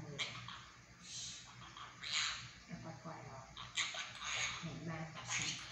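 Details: A pet monk parakeet talks in short, raspy, high-pitched bursts of word-like phrases about once a second, over a low steady hum.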